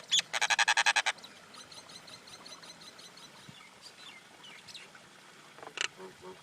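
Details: Common myna: a rapid burst of about ten harsh rattling notes, followed by quieter chatter, whistles and a sharp click amid faint background birds.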